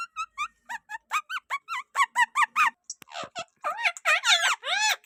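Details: Rose-ringed parakeet talking in a sweet voice: a quick run of short squeaky notes, about three per second, then louder wavering speech-like phrases.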